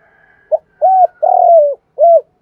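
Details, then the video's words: Spotted dove decoy phrase used to excite a wild dove into fighting: clipped opening note, smooth coo, rough extended falling coo and a final coo, with a faint steady higher tone underneath. "chim cu gáy Mồi bài bản giúp bổi nhanh nổi/ cu gáy kích bổi"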